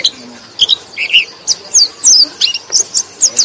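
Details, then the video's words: White-eye notes for luring lazy white-eyes: a few lower chirps, then a quick series of thin, downslurred high whistles, spaced about a quarter second apart. "KICAU BURUNG PLECI - Untuk Pancingan Burung Pleci Lelet"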